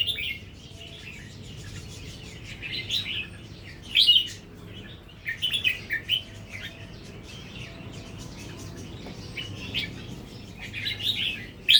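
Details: Natural-style Red-whiskered bulbul starting to sing doubled phrases: bright warbling bursts of quick notes, some clustered in rapid pairs, separated by pauses, with faint low background hum.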